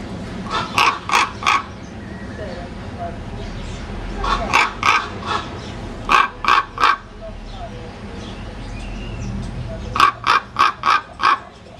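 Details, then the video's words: Croaking common raven giving harsh, rasping calls in quick bursts of three to four, four bursts in all, separated by quiet pauses over low background rumble. "kruk (raven)"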